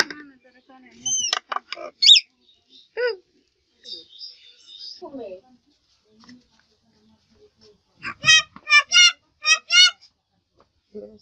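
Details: Common myna, known locally as shalik, said to make many kinds of sounds and to talk like a person. Scattered short notes are followed near the end by a run of five loud, high, sharply harmonic calls in quick succession, in a quiet room.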